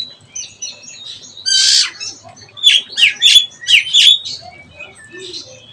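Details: Oriental magpie-robin learning the ngeplong song: soft high twittering, then a harsh buzzy burst, followed by five loud sharp down-slurred chirps in quick succession and a trailing faint note.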